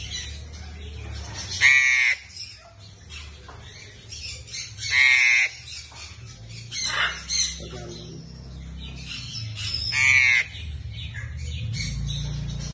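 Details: A newly arrived baby lorikeet in an aviary gives three harsh, grating screeches, each about half a second long and several seconds apart, over a low background hum.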